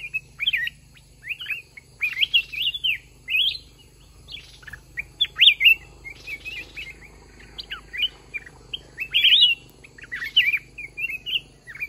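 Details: Bulbul song during a trap fight against a caged decoy: rapid, varied whistled notes clustered in bursts, some phrases swooping upward, with a faint low hum behind.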